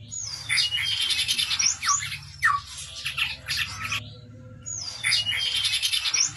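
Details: Chestnut-rumped babbler singing vigorously: loud, scratchy, chattering bursts mixed with quick slurred whistles, broken by an abrupt short gap, then resuming just as densely.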